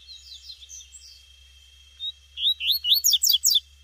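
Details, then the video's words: Wild female double-collared seedeater, tuitui form, in the bush: scattered faint high twitters first, then after a pause a loud phrase of rising whistles ending in rapid high downward slurs repeated about six times. "Coleiro tuitui no mato com PIADO de FÊMEA fougoza"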